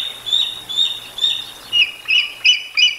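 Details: At the Decorah North nest on a live cam, 13 July 2022 at 18:47, a bald eagle gives loud, high piping notes, seven in three seconds, three thin whistled ones followed by four harsher, lower squeals.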